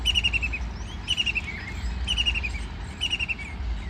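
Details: White-throated kingfisher, bathing and flying, gives short, falling, rattling bursts of sharp notes about once a second over a steady low rumble of background noise.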